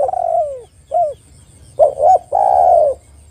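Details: Spotted dove calling as a lure for other doves: a long descending coo and a short arched note, a pause, then two clipped notes and a sustained low coo. Background is quiet.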